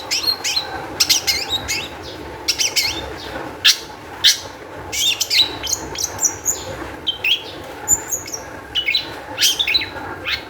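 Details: Long-tailed shrike song used as a lure to make other shrikes sing, with varied sharp high chirps, short whistled slurs and rapid buzzy notes in irregular bursts over a faint background hum.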